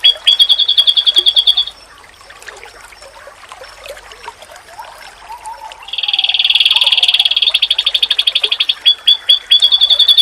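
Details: Masteran song of an oriental white-eye (pleci), meant to provoke other white-eyes into replying: a brisk high trill stops, about four seconds of faint background noise follow, then a loud, dense buzzy stretch gives way to rapid ringing notes.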